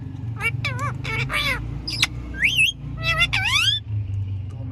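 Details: Indian ring-necked parakeet, a green pet parrot said to talk, uttering a rapid string of varied, sliding whistles and chattering notes that swoop up and down, over a constant low mechanical hum.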